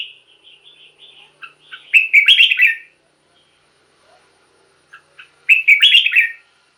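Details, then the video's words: Red-whiskered bulbul singing, for use with caged birds as a decoy or stimulus: a soft thin trill opens, then two loud bubbling warbled phrases, each under a second long, separated by near silence. "เสียงนกกรงหัวจุก สำหรับต่อ หรือ เปิดให้นกคึก เสียงเพราะๆ"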